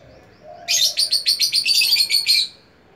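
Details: Lovebird giving a fast burst of high, buzzy chirps, about a dozen pulsed notes run together over two seconds, then stopping.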